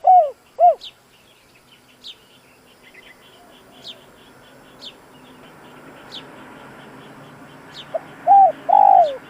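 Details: Spotted dove used as a decoy to stir up wild doves: two mellow coos open, a quiet stretch with a faint insect-like hum and sparse high chirps follows, then a short hoot and two loud drawn-out coos.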